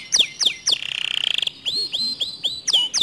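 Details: Canary singing, a song said to provoke other canaries into singing: sharp downward-sweeping notes, a fast buzzy trill near the middle, then a string of high upward-curving whistled notes.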